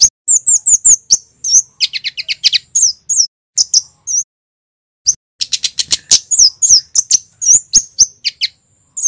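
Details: Male red kemade of Java, a Scarlet-headed Flowerpecker, in energetic cit keres song. Rapid high tsit runs include a stuttering series of lower ticks, then a silent pause, then renewed shrill chirping.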